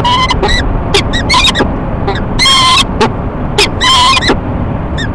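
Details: Two peregrine falcons courting at a nest box on the Times Square building in Rochester, New York, on a March 2011 morning, giving loud harsh ee-chup calls in quick bursts, each note stacked with bright harmonics, with steady background hum.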